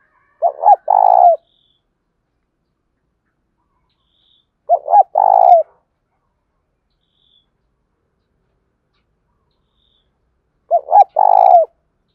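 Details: Repeated spotted dove cooing to stir captive wild-caught doves into calling. Three phrases about five seconds apart, each two short notes followed by a longer vibrating coo, with silence between.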